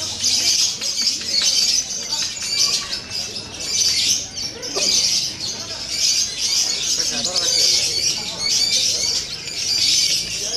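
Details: Lovebird of the fighter type chattering in long, high, rasping bursts that swell and fade roughly every two seconds.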